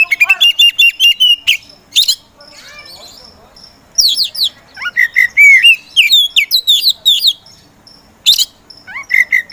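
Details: Oriental magpie-robin (kacer) in full song, described as slow to start but singing hard within seconds, gives loud, varied high phrases: clear rising whistles, rapid buzzy trills and sharp chips, in bursts with short pauses.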